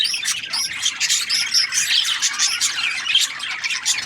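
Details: Several budgies give rapid, shrill chirps and short whistled squeaks in an overlapping, constant chatter over a few seconds.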